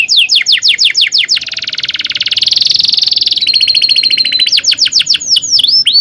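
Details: Canary song serving as a tutor for young canaries: quick falling whistled notes lead into an extended buzzy roll and a rattling trill, then more sweeping notes and swoops.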